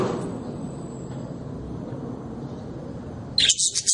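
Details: Small parrot-family cage bird, a budgerigar, gives a sudden run of four or five rapid, high, squeaky chirping pulses after a stretch of quiet low background hum.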